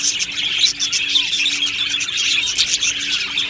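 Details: Happy budgerigars chatter in a colony: bright overlapping tweets and rapid warbling, many birds at once, with a steady low hum running underneath.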